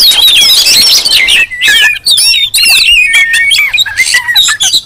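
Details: Noisy Oriental magpie-robins calling to provoke rivals: clear descending whistles and warbled phrases tumble out about twice a second, mixed with harsher chatter.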